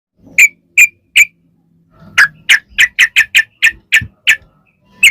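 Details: Yellow-vented bulbul lure song, long rapid ropel style used to make other bulbuls answer: three spaced sharp notes, then a run of about ten quick bright chirps and a final note.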